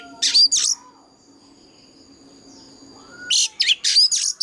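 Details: Oriental magpie-robin used as a decoy in a mature wild-forest singing style: two loud buzzy bursts, a long near-silent pause with a faint steady hum, then a fresh cluster of harsh notes and thin whistles.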